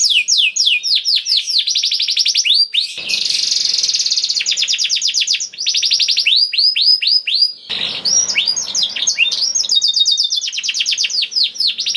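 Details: Vigorous 'gacor' singing by a canary with special 'cengkok' turns: dense rapid trills and sweeping whistles interrupted by rough buzzy passages, twelve seconds of nonstop song.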